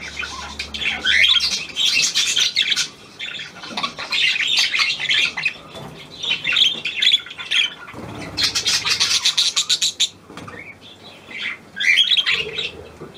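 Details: Newly arrived hand-tame Australian pied budgerigar warbling at length indoors: bursts of raspy, squeaky twitters and grating chatter, separated by brief lulls, with occasional clearer chirps.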